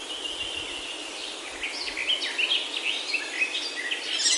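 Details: Birds singing in a Himalayan oak forest in Himachal, India, during a walk in the hills: a lively run of quick chirps and short whistled, twisting notes against a steady background hiss.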